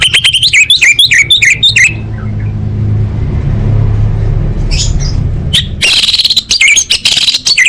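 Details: Female orange-headed thrush calling for males, meant to prompt quiet birds to sing; rapid harsh chattering notes with slurred whistles for two seconds, a pause with rumbling background, then another busy scratchy burst.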